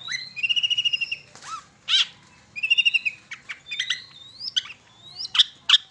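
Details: Long-tailed shrike lure song: rapid trilled notes repeated in short runs, rising squeaky whistles and sharp chips, with quiet gaps between phrases.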